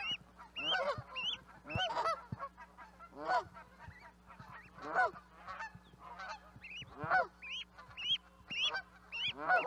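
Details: Canada goose honking: loud nasal two-part honks in bursts, about a dozen over ten seconds, several birds overlapping and trading calls, with a steady low hum underneath.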